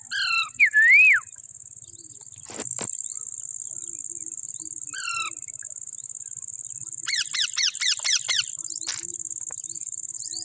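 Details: A pet parrot in a happy mood gives a few harsh, rising-and-falling squawks, then a quick burst of chattering notes, over a steady high whine like insects.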